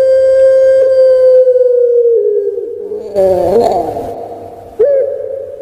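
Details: Puter pelung, a kept dove breed famous in Java, Indonesia, cooing: a long, steady, drawn-out tone that slowly sinks, then a rough, grating burst and a short rising note.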